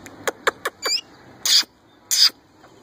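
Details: Young male plum-headed parakeet imitating a ringneck parrot and trying to talk, with four quick clicking ticks followed by two harsh, hissing screeches about half a second apart.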